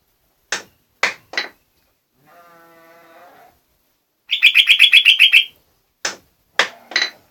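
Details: Jogjog bulbul in full song: three sharp clicks, a faint low buzz, then a rapid trill of about a dozen bright chirps, then further clicking notes.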